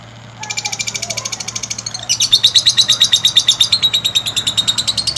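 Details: Lovebird calling, a recording meant to stimulate other lovebirds into long singing: a rapid train of high, sharp chirps repeated about three per second, a brief break near two seconds, then a louder, denser chattering series running to the end.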